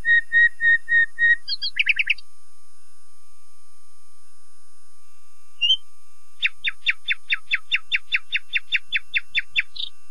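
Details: Common nightingale, a shy solitary woodland singer, delivering steady whistled notes, a quick chattering trill, a long silence, then a rapid series of about twenty sharp clicking notes ending in a flourish.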